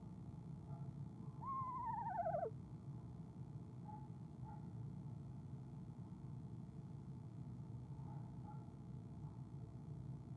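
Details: Evening calling from a female eastern screech owl in a nest box before she leaves: a single quavering descending whinny of about one second, then faint distant notes over steady low background rumble.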